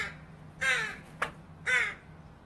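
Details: Begging fledgling Northwestern crow calling for food, two raspy drawn-out caws with a sharp click or tap between them, faint low hum beneath.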